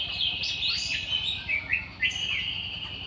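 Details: Java sparrow in the wild, giving a run of bright chirping notes with short rising and falling slurs, several notes close together, then a sustained high twittering tone through the second half. A faint low background hum underneath.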